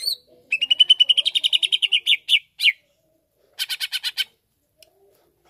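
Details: Provoking song of a greater green leafbird: a long, even trill of some fifteen pulses turning into louder slurred notes, a pause, then a buzzy rattle of six notes.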